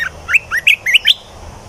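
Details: Red-whiskered bulbul kept as a cage bird delivering a quick run of five bright, slurred whistles, mostly upslurred and evenly spaced, with faint background hum.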